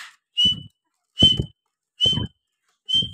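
A partridge gives four loud, shrill whistled notes, one roughly every 0.8 seconds, each with a low rough thud beneath it.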